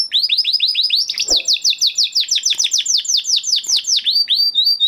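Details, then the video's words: Huppe Spanish Timbrado canary from 2020 breeding, a kept flock bird, singing a training song: rapid series of high sweeping notes, then a burst of fast rolling trills, repeated downward-slurred phrases to close. "Do you have a Canary with a weak singing voice? Canary Singing Video"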